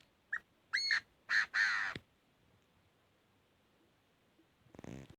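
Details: Chinese francolin giving its fighting song: a short harsh note, then three loud, grating, harmonic-rich notes growing longer over about two seconds. Silence follows, then a brief noisy burst at the end.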